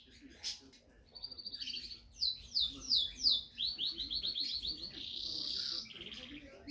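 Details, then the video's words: Energetic Portuguese Harlequin canary song. It starts softly with a brief sharp chirp, then moves into bursts of clipped, swooping notes repeated in a row and ends with a buzzy sustained trill. Faint low room noise sits underneath. "Canário Arlequim Português C/ Energia"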